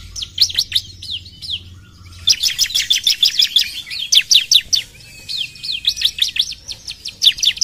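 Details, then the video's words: Bar-winged prinia song: a short run of high slurred notes, a brief pause, then a long energetic string of piercing, rapidly repeated downslurs, ending in a lighter trill. "PUTAR SBENTAR CIBLEK AUTO NYAUT!!"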